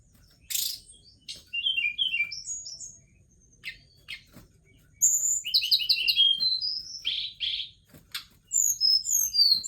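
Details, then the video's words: Mountain forktail, locally tledekan gunung, singing busy high phrases: clustered chirps, buzzy trilled runs of repeated notes and sweeping whistles, separated by brief gaps. "Tarian indah Tledekan Gunung"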